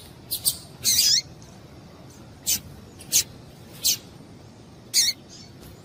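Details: Calling female double-collared seedeater, meant to excite males: isolated high, thin chips spaced about a second apart, one longer buzzy note near the start and a downslurred chirp near the end.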